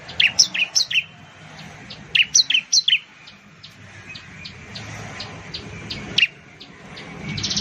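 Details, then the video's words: Bar-winged prinia in Indonesia giving short runs of bright high chirps in two quick phrases, followed by faint distant ticking notes, one sharp chirp, and rising noise at the end. "suara burung ciblek/ciblek sound"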